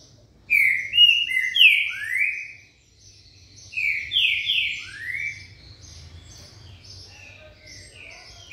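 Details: Green-winged saltator giving its "trem bala" song: two bursts of rich, downward-slurred whistles delivered rapidly, separated by a short pause, followed by quieter, higher notes fading into background hum.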